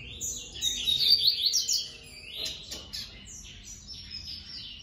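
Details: A captive male yellow-bellied seedeater, paired with his mate, sings a fast, high jumble of sweet twittered notes, loudest in the first two seconds, then softer scattered chirps after a brief clatter.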